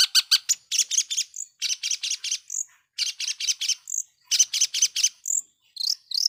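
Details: Long-tailed shrike giving a lure song meant to provoke other shrikes: fast runs of harsh, raspy, chattering notes in groups of four or five, broken by short high whistled phrases.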